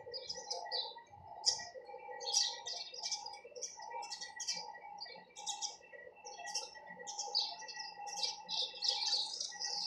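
Sparrows chirp busily and continuously, overlapping bright, high chips and short trills from several birds, with a steady low hum beneath.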